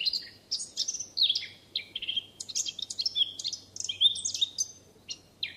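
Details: Wild Eurasian blackcap recorded in France, giving a lively, unbroken chatter of short, sharp notes mixed with brief clear whistles, loud throughout.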